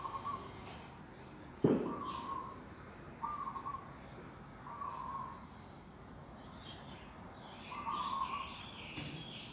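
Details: A bird sings in the morning in an organic garden on 11 December 2021. Level, hollow-sounding notes of even pitch are repeated every one to two seconds, with a brief knock near the start and faint higher chirps behind.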